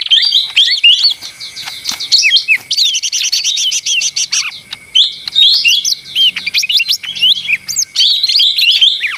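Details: Lesser green leafbird pouring out a noisy, busy song: high trilled runs, scratchy chirps and swooping whistles in long phrases separated by brief gaps.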